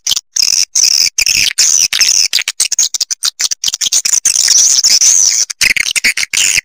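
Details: Swiftlet calling sound, played to attract swiftlets, clear recording: dense, rapid, high-pitched chirping and twittering in quick bursts separated by brief silent gaps, running continuously throughout.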